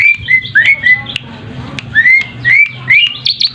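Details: Asian pied starling song played as a lure so other birds respond. Short rising whistles come in pairs and triplets, then a string of higher squeaky notes closes the phrase.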